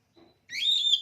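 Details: Caged oriental magpie-robin prepared for a singing contest gives a single short whistle that rises sharply and then holds high, after a faint soft murmur.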